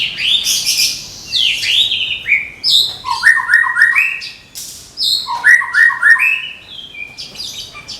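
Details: Caged Medan white-rumped shama readied for singing contests gives rapid rich song: harsh high bursts, then quick series of short descending whistles repeated several times.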